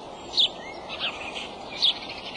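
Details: Male bald eagle calling at its nest on March 23, early afternoon: two thin, high, squeaky chirps about one and a half seconds apart, with softer twittering between them over constant background hiss.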